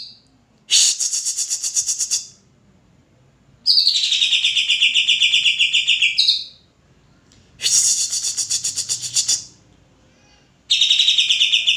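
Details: Greater green leafbird singing: loud, bright phrases in bursts of about one and a half seconds, alternating rapid buzzy trills with clearer descending whistled notes, separated by short silences.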